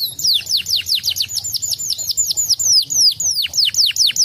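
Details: Canary singing as a lure to get other canaries to respond: a steady run of quick, clear descending whistled notes, roughly four per second, rhythmic and unbroken.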